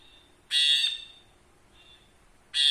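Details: Caged ashy bulbul used as a song tutor: two harsh, buzzy, nasal notes about two seconds apart, the first held for nearly half a second, with a faint softer note between them.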